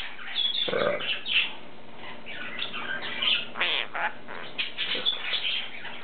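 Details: Pet lineolated parakeets kept indoors, one cream male known to say "Hi", "give me a kiss" and "me monster" and to growl on cue; squawky chirps and short harsh notes between a person repeating "monster" and "good boy".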